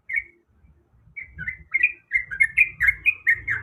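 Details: Female yellow-vented bulbul in breeding condition calling the male: after a short opening note and a pause, a quick run of bright chirps, repeated about twice per second, some dipping and rising, with faint low rumble beneath.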